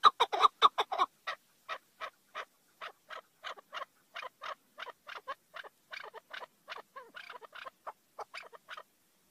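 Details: Chukar partridge calling in a series of short chuk notes: a loud, rapid cluster at first, then softer notes spaced about two to three per second, in an otherwise quiet setting.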